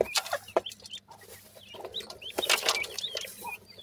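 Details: Grey francolin chicks giving short, high, upward-flicking peeps, scattered and irregular. Bursts of broadband rustling and clattering noise sit around the calls, with the louder cluster near the end.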